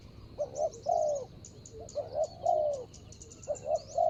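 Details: Calling to lure a rival, a decoy spotted dove on the ground repeats its coo phrase three times, each a quick double note and a longer descending coo, while small birds chirp and tick at high pitch behind.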